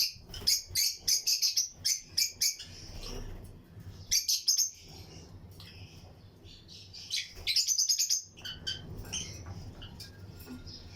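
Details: Lutino lovebirds in a breeding aviary chirping in fast, shrill bursts, a few seconds of rapid calls, a pause, then another burst, with a low background hum throughout.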